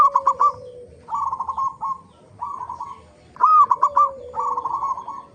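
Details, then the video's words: Local zebra dove lure song: pairs of stuttering coo phrases, each starting with a sharp note and trailing into softer rolling notes, with a fainter falling tone below. "pancingan perkutut lokal gacor AMPUH pandai BIKIN semua BURUNG PERKUTUT GACOR RAJIN BUNYI"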